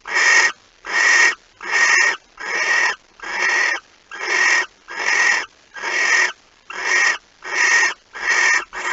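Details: Barn owl at its nest in the early morning of 26 August 2019 during a mouse delivery: a rhythmic series of twelve short, breathy screeches, evenly paced at under a second apart.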